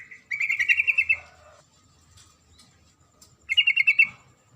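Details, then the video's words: Female sooty-headed bulbul calling to the male with a long rapid chattering burst, a pause, then a second shorter burst of quick stuttered notes. "suara panggilan trucuk betina memanggil jantan"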